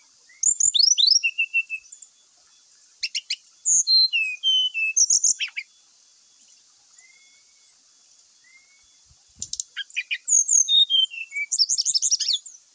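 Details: Brown-chested jungle flycatcher song said to provoke rival males to fight: high, sweet whistled notes, with downward slurs and quick trills in two long bursts separated by a quiet stretch of soft thin whistles.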